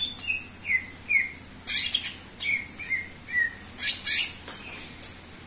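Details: Greater green leafbird, known locally as cucak ijo, singing at full strength for use as a lure: short falling whistles alternate with brief harsh, crackling bursts, in an uneven repeating pattern.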